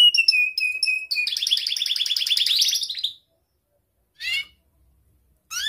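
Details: Young canary sings a tutor phrase for learning birds: rapid repeated high notes flow into a long tight rolling trill lasting about two seconds, then silence broken by two brief rising chirps.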